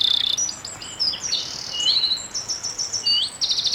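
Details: A Eurasian wren bursts into loud, high, rapid song in a broadleaved forest, in a path clearing with scrub and some replanting. Fast trills and sharp ringing notes tumble without pause through the whole passage.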